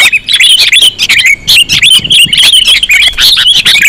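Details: Sooty-headed bulbul lure calls, said to be very sensitive: rapid, bubbling strings of high chirps and short down-slurred whistles, nearly continuous with a few brief breaks.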